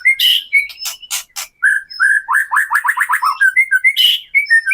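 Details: Gacor white-rumped shama singing kretekan to stir a caged shama's emotion and fighting spirit; loud whistles, then a rapid run of short repeated falling notes, then more bright whistled phrases.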